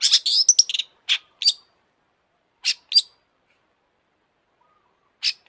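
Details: Long-tailed shrike singing vigorously in an excited state: a dense opening burst of harsh, scratchy high notes, then short sharp chirps spaced by pauses, with a long silence before two final chips.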